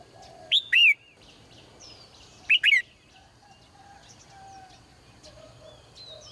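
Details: Morning song of a caged female bird: two bursts of clear, falling chirps about two seconds apart, each a short note followed by a longer sweeping one, with soft distant twitters behind.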